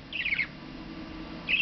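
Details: A male pet budgerigar, quiet for weeks after arriving and now singing a lot, gives two brief bursts of high, scratchy warbling chatter separated by a quiet pause, indoors by his perch in the morning.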